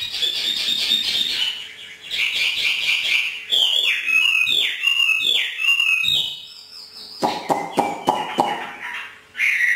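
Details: Trained Hwamei from northern Vietnam in 'hót thả' free song: loud, varied whistled phrases with sweeping, slurred notes, then a run of harsh, buzzy clipped notes near the end.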